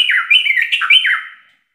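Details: A short burst of sooty-headed bulbul ropel song, used as a training master for captive birds: one fluid, warbling whistled run of quick slurred notes that fades out after about a second and a half.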